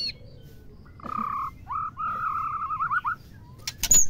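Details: Female white-rumped shama, a sound for rousing males to sing and prompting mating: a mid-pitched warbling whistle, a short pause, then a longer wavering whistled phrase, followed by loud noisy bursts.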